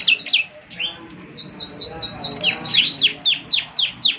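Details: Morning playback of a young Bar-winged Prinia in gacor style: a few loud slurred chirps, a brief pause, then a neat series of short high notes that turns into strong falling chirps about four per second.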